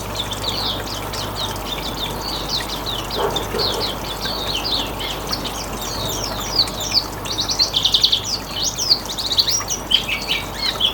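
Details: Hume's white-eye riwikan song used as a lure for other birds: rapid high twittering phrases of thin chirps, growing louder and busier toward the end, over steady low background hum.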